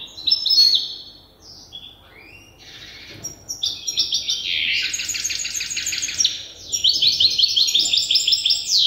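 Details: European goldfinch hybrid, a young bird learning its song from an older hybrid, sings rapid high twittering phrases mixed with buzzy trills and sliding notes, the song running almost without pause.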